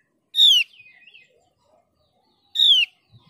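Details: Mees's white-eye, a Java and Bali endemic, in a recording used to lure other white-eyes into singing: two clean, loud descending whistles about two seconds apart, each trailing into a soft twitter.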